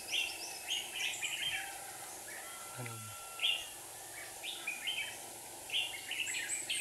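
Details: Red-whiskered bulbul decoys used in trapping wild birds in Hòa Bình, Vietnam: short bubbly chirped phrases spaced irregularly, with a brief low thud midway and steady hiss behind.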